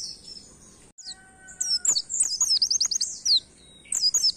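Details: Oriental white-eye in canary-like song to get other birds singing; a faint whistle, then a lively burst of high, quick slurred notes and a brief final flourish.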